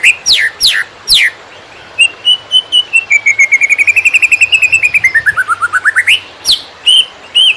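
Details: Greater green leafbird master song for tutoring other birds: sharp falling sweeps open, then a fast trill of whistled notes that rise, dip low and sweep back up, with a faint low hum.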